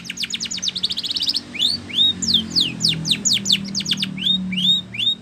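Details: Training song of a Spanish Timbrado canary, opening with a rapid run of sharp metallic notes, then a string of clear falling and rising whistled slurs; faint low hum in the background.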